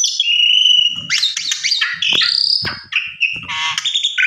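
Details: Javan pied starling lure song meant to draw an answer from other birds: long clear whistles, then grating, buzzy chatter and more whistled slurs, with faint low rumbling underneath.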